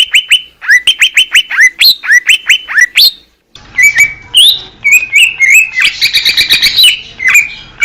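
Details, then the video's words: Greater green leafbird singing in the wild in Indonesia: a rapid run of clear, sharp whistled notes dropping in pitch, then a brief pause and a varied phrase of looping whistles and bright chips. "SUARA MASTERAN CUCAK IJO JERNIH"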